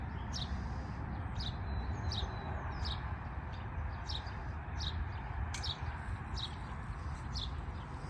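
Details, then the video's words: Bird singing in spring under a cloudy sky: short high chirps repeated roughly every half to three-quarters of a second, steady and even, over a constant low background rumble. "Cloudy sky birds singing and spring!"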